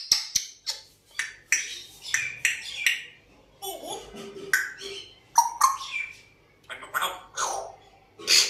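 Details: Always whistling and trying to talk, an African grey parrot produces a rapid jumble of clicks, chirps and speech-like syllables, with short whistled slides scattered through the chatter.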